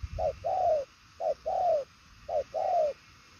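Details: Three rhythmic coo pairs from a purple-legged 'đồng son chân tím' spotted dove, fast 'bài lối' 'gù' style: a brief note followed by a long, slightly descending coo, with faint low rumble behind.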